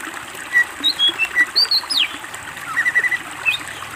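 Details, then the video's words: Greater green leafbird singing on a master recording for training birds, with isian fill-in phrases: scattered clear whistles, some rising and falling, and a short run of quick repeated whistled notes near the end, over soft hiss. "masteran cucak ijo gacor BONGKAR ISIAN masteran istimewa"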